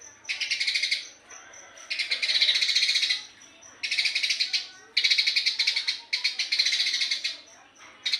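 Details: Eurasian tree sparrow singing in rapid 'gacor speed rapat' style, with six long bursts of harsh, fast-pulsed high chirping, each lasting about a second, separated by brief pauses with faint thin high notes.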